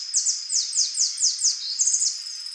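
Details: Rufous-tailed jacamar (Galbula ruficauda) calling in a quick series of about ten thin, high down-slurred notes, evenly spaced and slightly accelerating, ending in a short level trill, with a constant high whine running underneath.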